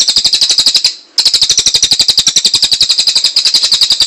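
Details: Cililin master song for songbird training, a continuous loud, rattling trill of fast, evenly spaced sharp notes, broken once by a brief pause before resuming.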